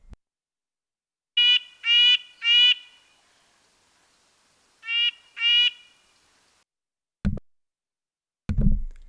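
Red-breasted Nuthatch giving short nasal, tinny 'ank' notes, five in two loose groups over about five seconds, followed by a couple of dull knocks.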